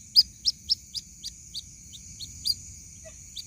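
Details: A white-breasted waterhen chick calls to its mother with thin, high peeps, loud at first and fading, spaced about a quarter second apart, against a steady whine and soft low rumble.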